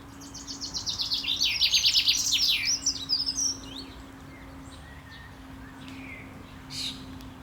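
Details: Courting male common chaffinch, 28 May 2024, gives a quick descending series of crisp repeated notes ending in a flourish. Fainter distant bird calls and a steady low hum follow.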